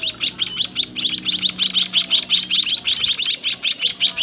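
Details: A fast, unbroken chorus of shrill, high tweets comes from white-headed munia chicks reared by their own parents in a narrow cage, begging to be fed, with a soft background hum.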